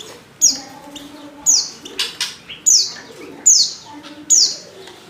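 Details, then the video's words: Female Oriental white-eye call used to lure males into singing: sharp, high notes sweeping quickly downward, repeated roughly once a second, over faint lower whistles from other birds in the background. "pancingan pleci betina paling ampuh,bikin pleci jantan ngalas"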